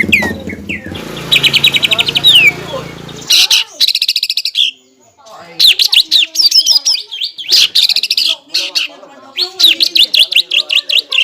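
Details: Caged greater green leafbird in loud full song, used as a lure to provoke a rival leafbird into fighting, with rapid bursts of buzzy repeated high notes alternating with varied whistled phrases mimicking other birds.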